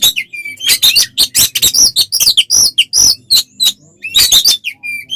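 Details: Oriental magpie-robin giving dense, aggressive fighting song meant to provoke other birds: nonstop harsh scratchy bursts, sharp chips and short looping whistles packed closely together.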